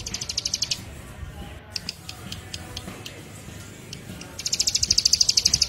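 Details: Bar-winged Prinia (ciblek) lure recording for training or attracting birds: rapid buzzy trills of high pulsed notes in two bursts at the start and end, separated by a quieter stretch with scattered ticks over a low background rumble.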